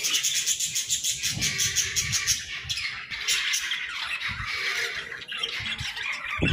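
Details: Playful budgerigars in an aviary keep up a steady high chattering chorus of chirps and squawks, with some low thumps and rustling beneath.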